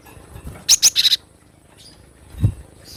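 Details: Javan munia, wild, with two high sharp chirps running into a short buzzy stutter of notes, then a low thump and faint distant calls.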